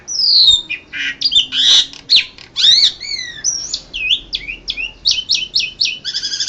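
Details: Champion contest Asian pied starling from Indonesia, ANF Bird Cup 2014, sings a varied medley: harsh chatter, looping whistles, then a quick run of clipped repeated notes ending in a buzzy trill.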